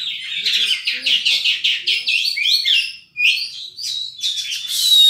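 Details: Oriental magpie-robin, a kept bird in energetic song meant to stir less eager magpie-robins: dense run of varied chattering and whistled notes, fast and continuous, ending in a thin high whistle.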